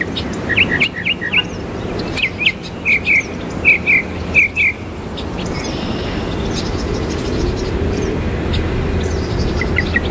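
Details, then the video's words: Northern mockingbird mimicking other birds, recorded on 29 June 2020 around nine in the morning; sharp doubled chirps repeated about eight times over four seconds, then fainter high notes over steady traffic-like rumble. "Mockingbird mocking birds"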